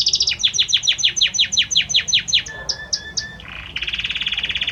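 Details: Singing Belgian canary male directing song at his female; a long series of quick descending sweeps, a few high whistled notes, then a dense buzzy trill.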